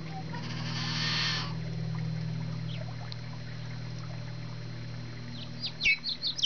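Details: Yellow-headed blackbird: a harsh, buzzy, broadband burst lasting about half a second near the start, then several short, sharp downward chirps close together at the end, over a steady low hum.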